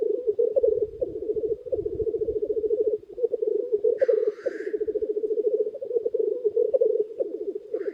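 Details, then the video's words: Early-spring gathering of many black grouse cocks by a hide, heard as a dense, rolling bubbling chorus with a single harsh hissing sneeze midway. "Тетеревиный ток у шалаша"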